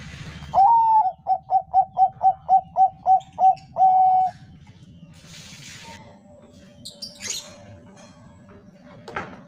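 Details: A Bangkok-type zebra dove gives a rapid run of about ten soft, clipped cooing notes, opening and closing with longer rolling coos; faint rustles and a clatter follow. The sound is used as a lure to get other zebra doves singing.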